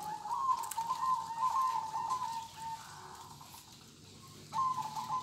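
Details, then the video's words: Local-type zebra dove in kong-style song, a long rolling trilled coo, a quieter pause, then another rippling phrase begins. "Kumpulan Suara Perkutut Lokal Kong"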